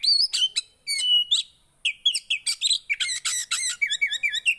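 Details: Javan white-eye song, played to prompt a silent kept bird to sing: high twittering phrases of sliding whistles and sharp chirps, a pause near two seconds, then a rapid busy run of notes.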